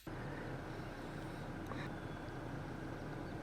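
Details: Steady low engine rumble fills the recording from start to end, with no animal calls heard.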